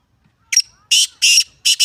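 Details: Harsh grating call of a black francolin, a thin opening note then three loud rasping buzzy notes, the last broken into two quick parts, over otherwise silent background.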